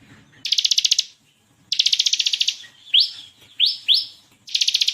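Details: Vocal crystal bar-winged prinia in varied continuous song for training competition birds: pulsed buzzy rattles separated by three quick rising whip notes, ending in another rattle.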